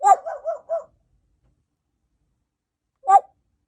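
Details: A female pet African grey parrot, a feather plucker indoors watching from a window, coughs: four quick, husky cough-like barks in under a second, then after a pause one more.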